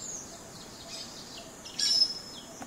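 Common starling giving thin, very high hissing whistles, with a brief louder sibilant burst midway, over faint outdoor background noise.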